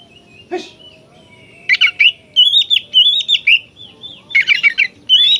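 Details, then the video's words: Oriental magpie-robin singing in lively 'gacor' style to stir other kacer into aggression: after one harsh note and a thin drawn whistle, dense rippling whistles with rattling chirps follow in quick clusters. "suara burung kacer gacor ini paling ampuh buat terapi burung kacer agar emosi jadikan kacer bukor"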